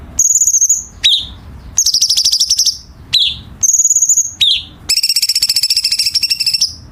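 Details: Chinese bulbul, tight harsh fill song for competition training: high buzzy whistles and sharp falling chips, closing with a long, fast, rattling trill of about two seconds.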